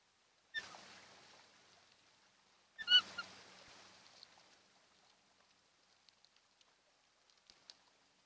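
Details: At a nesting osprey pair's nest on Kent Island, Maryland, early morning of 28 June 2018, an osprey gives two brief, sharp, high calls about two seconds apart, then near silence with faint ticks and rustles.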